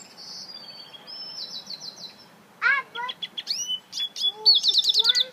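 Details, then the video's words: African citril mule, a hybrid cage bird, singing: a quiet opening of buzzy high trills, then louder varied phrases of quick chirps, downslurred notes and a fast rattling trill near the end. "Africa citril mule"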